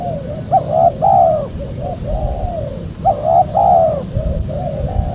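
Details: Spotted dove call used as a lure to draw in wild doves for bird catchers: two loud cooing phrases about three seconds apart, each a short clipped note followed by a longer, falling, slightly rough coo, with softer coos between them over a low hum.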